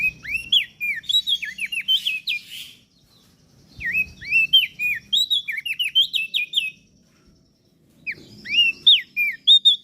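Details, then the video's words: Common iora and bar-winged prinia in a masteran recording for training cage birds: bursts of bright, rapid whistled notes, many sharply dipping and rising, in chattering phrases broken by two short pauses, with faint low rumble beneath. "Opior Jambul gacor Mental Juara Masteran Jitu Burung Prenjak Daun Lombok"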